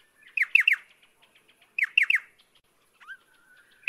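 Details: Pardalote calling: a quick run of three sharp, downward-slurred notes, repeated after about a second and a half, then a short rising note that flattens into a thin level whistle.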